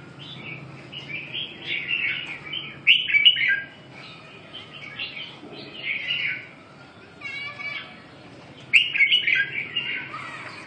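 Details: Red-whiskered bulbul song of repeated warbled, fluty phrases in bursts every two to three seconds, with a short buzzy rattling note midway and a constant low hum behind.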